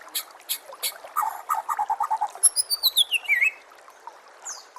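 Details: White-rumped shama song used to coax other shamas into singing: sharp chips, then a quick rhythmic chatter of repeated notes, followed by a high descending whistled trill.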